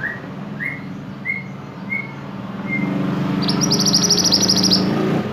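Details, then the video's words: Silver-eye singing in a tutor recording: five short upslurred chirps about every 0.6 seconds, then a rapid, buzzy, high trill that runs to the end over a steady low hum. "burung mantenan gacor"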